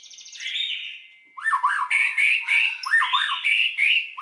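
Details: Lure song of a white-rumped shama, used to excite other shamas into full song: a high sliding whistle, then a short pause, then a run of rich, varied, rising-and-falling phrases repeated in quick succession.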